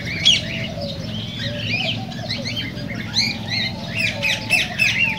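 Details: Cockatiels vocalizing to stimulate breeding and song: bright rising and falling whistled chirps, sparse at first then denser toward the end, over quieter low warbling and a background hum.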